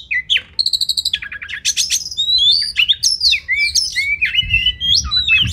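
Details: Oriental magpie-robin masteran song for training competition birds. Opens with quick repeated ticking notes, then dense whistled phrases that jump and slur between high pitches in an unbroken, energetic run.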